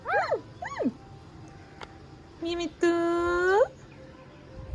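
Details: A pet rose-ringed (ringneck) parakeet talks, said to speak "Mia Mithu Chori Khani hai" clearly: two quick arched, squawky syllables, then two drawn-out nasal, voice-like sounds, over faint room noise.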